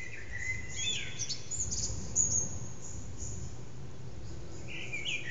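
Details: Eurasian blackbird at early morning, about 4:30am, in an echoing backyard, recorded by phone: a brief mellow warble with a thin high twitter, then a short fluty note near the end over a low background hum.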